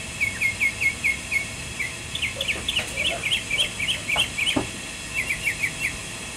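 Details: Mockingbird singing from near a cabin porch: varied short chirped and slurred notes in quick repeated groups, changing pattern every second or two, with faint lower sounds in the background.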